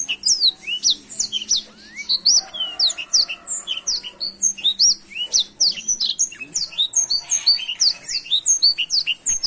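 A black-throated canary sings a fast, continuous run of high, sweet chirps and warbled notes with quick trills, with little else heard.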